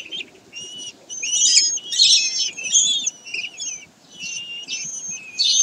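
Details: Common kestrels on 22 May 2023 at Sägeweg, calling in loud, harsh high bursts mixed with thin whining tones, roughly one burst every second, several voices overlapping.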